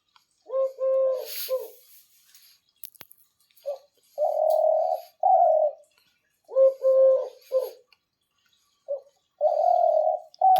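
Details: Two caged doves, described as strong hunting decoy birds, call steadily at night. Paired short tonal notes with an overtone alternate with longer, fuller, slightly buzzy coos in repeated phrases about every three seconds, with faint clicks and rustling.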